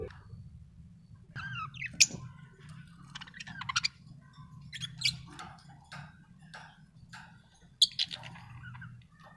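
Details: Budgerigar chirping: a run of short, sharp chirps and squeaky warbles, some rising, scattered unevenly over about nine seconds, with a few louder clicks and a steady low hum underneath.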